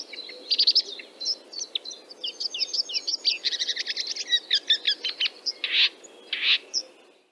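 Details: Central Russian Red-backed Shrike delivering a rapid run of thin, twittering notes that blur into a dry, buzzy rattle, followed by two louder harsh, scratchy bursts and a final squeak, set against steady low background noise.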